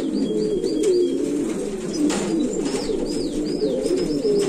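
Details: An old Valencian pouter pigeon (buchón valenciano antiguo) gives low, throaty, rolling coos that swell and fade in a steady murmur, with thin high chirps of small birds above.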